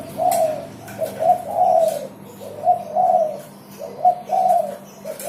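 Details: Energetic spotted dove song: three evenly spaced cooing phrases about every 1.4 seconds, each a short double note leading into a longer, downward-sliding coo, with a faint steady hum.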